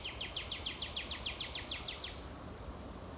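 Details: In full swing from hedgerow thickets at Knepp, West Sussex, one May 2018 night, a territorial male nightingale rapidly repeats about thirteen identical sharp, descending notes, then stops over steady background hiss.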